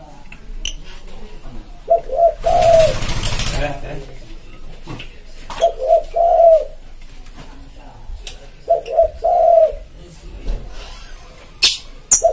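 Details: Tekukur, or spotted dove, cooing in a recording used to draw in wild birds. Three evenly spaced phrases of soft short coos, each ending in a longer mellow note, with a burst of rustling noise and scattered clicks.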